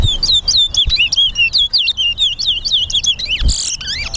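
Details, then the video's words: Towa towa in a bird singing race at Lamaha and Vlissengen Road bird ground, Guyana, delivering fast high whistled swooping notes in a steady run, broken near the end by a sharp noisy burst. "TOWA TOWA BIRD RACE"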